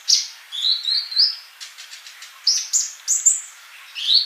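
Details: Sunbird song used to train caged birds to sing: short rising whistled slurs and high sweet notes in small clusters, with a soft scratchy patch midway.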